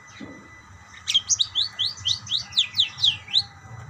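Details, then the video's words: Pet budgerigars answering one another: after a brief quiet, a series of about eleven sharp downslurred chirps comes at roughly four per second over faint background chatter. "burung parkit bersautan"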